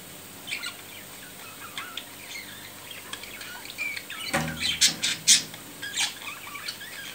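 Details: Budgerigar during courtship after mating: faint chirps at first, then a burst of harsh, rapid squawks and clicks with a rustling thump.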